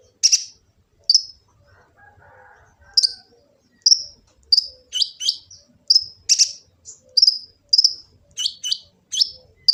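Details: Phone recording from Gresik, East Java, of a kolibri ninja sunbird serving as master song: sparse high chips at first, then a rapid, excited run of sharp ticks and quick doublets, very high-pitched throughout.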